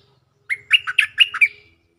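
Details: Stripe-throated bulbul lure song from a caged bird: a rapid run of five liquid, slurred notes ending in a drawn-out whistle, with a faint low hum beneath.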